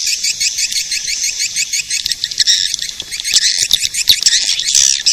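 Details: Swiftlet-attracting call of the edible-nest swiftlet: continuous high, overlapping twittering chirps that swell and thicken into a busy chatter.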